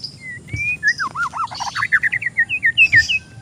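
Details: Lure or tutoring song of an oriental magpie-robin for an untrained bird: a few long whistles, then a fast string of clear, looping whistled notes that dip and rise, in a quiet setting.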